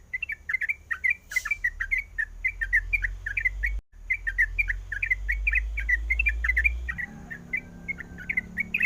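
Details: Calling female sooty-headed bulbul in breeding condition, seeking a male: quick repeated chirped notes in a steady chatter, a sharp click near the start, a brief dropout midway, and low rumbling noise growing toward the end.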